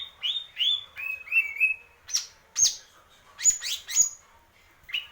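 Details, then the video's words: Greater green leafbird song in purwo mendem gadong style: clear whistled notes sliding downward, then sharp high piercing upslurs repeated about twice a second. "cucak ijo purwo mendem gadong"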